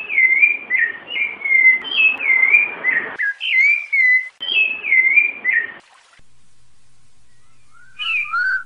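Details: Rufous-bellied thrush singing the Piedade song type, female calls included: a run of whistled, down-slurred notes for about six seconds, then a pause and a short burst of higher, varied chirps near the end.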